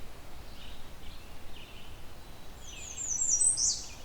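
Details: A male American Redstart in the Halton Regional Forest, southern Ontario, sings one of its commonly known song variations: a short run of thin, high notes ending in a louder, sharper burst, over a steady low background rumble.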